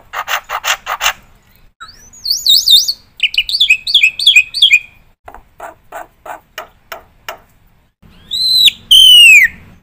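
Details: Black-winged myna in full song, used as a model for training other birds: buzzy bursts, wavering warbled whistles, clipped repeated notes, and a final loud drawn-out whistle sliding downward.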